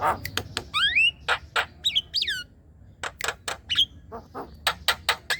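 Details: Black-winged myna calls used to make young and untrained mynas call: rising and looping whistles between loud harsh chacks and rasps, irregularly spaced.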